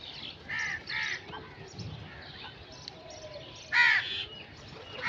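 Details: Crow giving scattered hoarse caws, two quicker notes early then a louder single caw near the end, with quieter calls and low rumble between.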